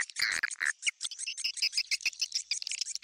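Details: Swiftlet calls used to attract swiftlets into a swiftlet house: dense, irregular bursts of high twittering chirps and short buzzy notes, overlapping quickly throughout.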